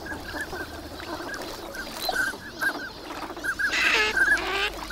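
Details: Winter flock of migrant ducks at Lake Inawashiro's Nagahama shore, Japan, on a fine morning; rapid short calls, about three per second, tumble over each other, then a louder, harsher burst of calling near the end.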